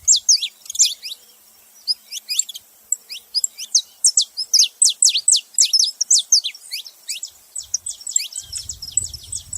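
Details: Saffron finches chattering: rapid, high, steeply falling chirps repeated almost without pause, overlapping as if from several birds, with a faint low rumble near the end.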